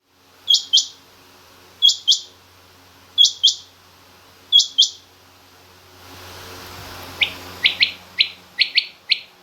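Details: Female rain quail in a mixed quail recording with king quail: four high doubled chirps at even gaps. After a brief noisy swell, a faster run of lower, slightly longer paired notes follows.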